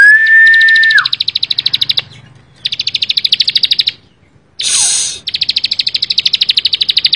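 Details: Bar-winged prinia singing vigorously: a sustained high whistle slurring downward, then long runs of rapid, buzzy ticking notes, broken by a brief harsh burst before the fast repeated notes resume.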